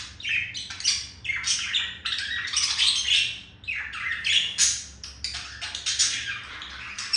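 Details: Courtship warble from a male budgerigar to a female: scratchy chirps, rasps and squeaky whistles in rapid clustered phrases, continuous and energetic for seven seconds.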